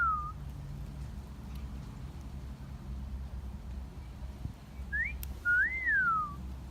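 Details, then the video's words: A pet parrot in a garden gives a clear wolf whistle: a short upward swoop, then a longer note that rises and slides steeply down, over a low steady hum. "Parrot Wolf Whistling"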